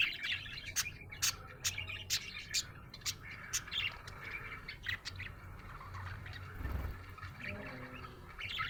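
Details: Happy budgerigar chirping with sharp clicks roughly every half second and soft warbling in between, a low thump near the end and a faint hum behind.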